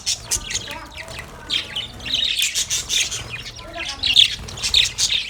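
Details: Several happy budgerigars playing in a cage chatter in a dense stream of shrill, scratchy chirps and squawks, with no pauses.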